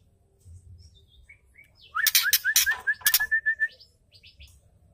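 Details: Ketrekan from a female white-rumped shama, a sound said to excite male birds and set them singing. Harsh, noisy rattling bursts mixed with a quick run of repeated mid-pitched notes, with soft chirps before and after.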